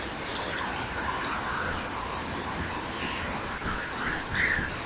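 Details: Male common kingfisher calling as he lands on a perch, with the female nearby at 10:16 on 21 January 2012, giving thin, shrill, high-pitched whistles in quick uneven runs over faint background hiss.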